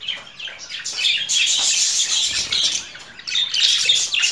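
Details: Budgerigar warbling rapidly with quick squeaky notes merging into a dense, grating chatter, easing briefly near three seconds before resuming.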